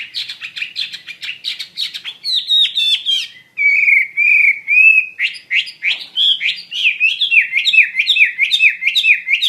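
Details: Wambi mandarin bird (hwamei) sings actively: rapid chattery notes give way to long sliding whistles, then a lively sequence of repeated bouncing phrases.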